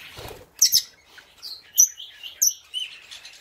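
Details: Red-rumped parrot pair exhibited in cage block 25 at Psittacoms 2019: a blue opaline pastel cinnamon male and a blue opaline female. Several clipped, shrill chirps about once a second, after a brief low rustle.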